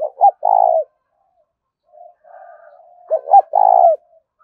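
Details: Spotted dove coo meant to lure birds in over a field: two quick rising notes and a longer throaty coo, a pause with soft murmuring, then the same three-part phrase again.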